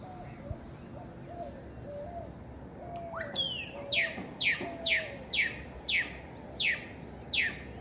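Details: Great-tailed grackle in Mexico: soft, low whistled notes, then a run of about eight loud, sharp sweeping notes repeated roughly every 0.6 seconds over a quiet background.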